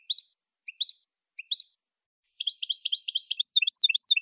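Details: Jilguero campero, the Saffron finch, singing a tutor song for captive birds in the 'El Pico de Plata' style: three spaced, short rising chirps, then a long, fast, jumbled run of high twittering notes.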